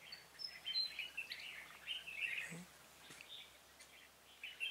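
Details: Red-whiskered bulbul singing as a decoy to attract wild birds for trapping, 26 February 2018; continuous chattering, warbling phrases with high thin notes at the start and a brief low thump midway.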